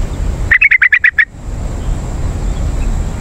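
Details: Yellow-vented bulbul calling to attract wild birds: one brisk series of seven bubbly, slightly warbled notes lasting under a second, then quiet apart from a steady high hiss and low rumble.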